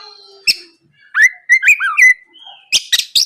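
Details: Kacer (Oriental magpie-robin) lure song for morning use to draw answers from rivals: a few sweet, wavering whistled notes and a smooth glide, followed by three loud harsh chattering bursts.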